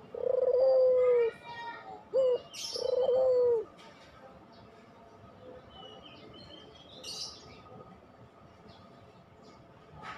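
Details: Puter pelung dove cooing as a lure to get lazy caged doves singing: a long level coo, a brief rising note, then a second drawn-out coo, followed by quieter background with scattered faint chirps.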